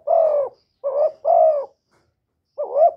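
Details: Spotted dove calls, urges and coos in a quiet setting: a long steady coo, then a short wavering note and another long coo, ending with a rising double-toned phrase.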